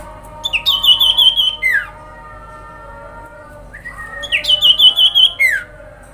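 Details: Trilled call of a common iora, used to draw excited responses from other ioras: two bright pulsed trills on one high pitch, each closing with a falling slide, with a faint low hum behind.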